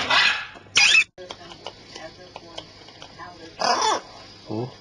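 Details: Pet parrots giving three harsh, broadband squawks, two short bursts close together near the start and a longer rasping one later, with quiet clicks and faint chatter between them.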